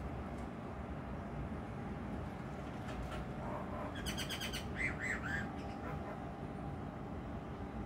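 A common myna gives a brief burst of harsh, rasping notes mixed with a couple of short looping whistles, over a steady low rumble of background noise.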